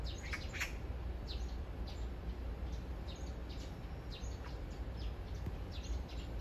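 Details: Love serenade from a magpie courting a partner just a few meters off: a string of brief, rasping call notes, several in a row at the start, then spaced out, with constant low hum behind.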